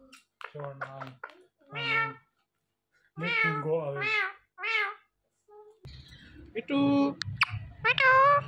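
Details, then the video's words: Pet talking parrot in a small room, producing a run of clipped, speech-like syllables and bright, wavering, meow-like tonal notes, interleaved with a human voice and some low room noise toward the end. "My So Friendly Talking Parrot's Talking Clips Compilation"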